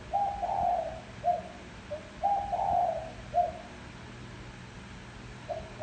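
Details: Decoy spotted dove coo used to lure wild doves: a soft hollow series of a brief lead note, a drawn-out rolling coo and a clipped final note, repeating steadily with light background noise.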